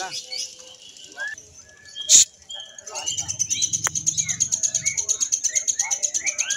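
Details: Caged lovebird singing at a Mahadewa practice songbird contest, single-fighter class. Faint mixed chirps open, then a sharp click, then a long, rapid, high, buzzy trill of evenly repeated chirps with occasional lower whistled notes.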